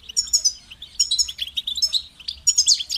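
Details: Rapid tinkling goldfinch phrases of high chirps and short trills, uneven in rhythm, with a faint steady hum underneath.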